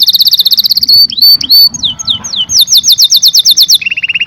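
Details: Canary singing a rapid high trill, then looping rising and falling whistles, a run of quick down-slurred notes, and a lower steady trill at the end.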